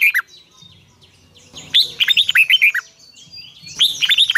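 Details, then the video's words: Red-whiskered bulbul singing in the morning for bird training: a brief note, then a long run of about ten bright, slurred whistles, and a further phrase starting at the end, with faint high twitters throughout. "Luyện chào mào hót sáng 2020, Giọng kép xoắn dài Quá hay"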